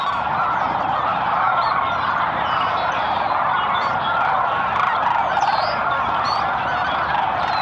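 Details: A large flock of Sandhill Cranes at morning departure, Merced National Wildlife Refuge, California, in winter (23 February 2021), gives a dense, continuous chorus of rolling, trumpeting calls that overlap without a break.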